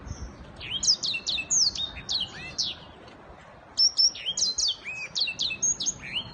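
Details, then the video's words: A black-throated canary sings a fast, high run of sweet chirps and sliding whistled notes in two bursts with a brief pause between. "Blackthroated canary singing _ thạch cổ đen hót giọng vip"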